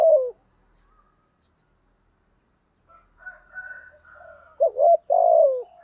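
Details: Decoy spotted dove calling to lure and provoke wild doves, in a practiced urgent cooing style. A loud low coo opens and another ends the clip, with softer, higher coos from other doves in between.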